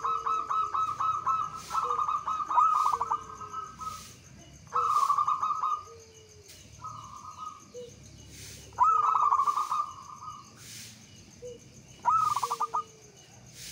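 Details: Local Javanese zebra dove, lure song for prompting other doves: repeated phrases of clicking stutters and drawn-out trilled coos every few seconds, with softer lower coos in between and a low hum throughout.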